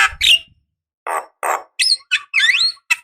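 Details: Javan myna, a female calling a male, used as a lure: nasal squawks and sliding whistled notes in short irregular bursts.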